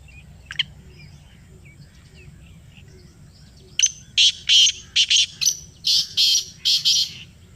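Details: Answering playback, a black francolin gives a long run of loud, buzzy, grating notes from about four seconds onward. There are about nine harsh notes in an uneven rhythm, preceded by one faint distant call.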